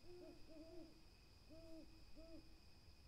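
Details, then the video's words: Gentle owl hoots in close sequence: a doubled hoot, then a longer drawn-out one, then two more spaced single hoots, all low and mellow. A steady shrill background drone persists. "calming owl SOUNDS"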